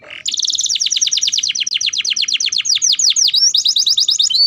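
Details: Canary in a training setting to encourage young birds to sing quickly, delivering a fast trilled song of rapid repeated high notes, shifting into descending sweeps and rising whistled phrases, with no other sounds.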